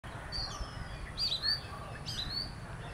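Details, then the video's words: Oriental magpie-robin, one of a visiting pair, singing: thin, high whistled notes drawn out and sliding, in two short phrases about a second apart over a low background rumble. "Magpie Robin - Singing and Behaviour"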